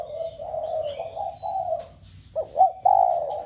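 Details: Captive-flock stimulation coo of a spotted dove: a long steady low coo followed by two sharp looping notes and a loud closing coo, with faint high whistles in the background.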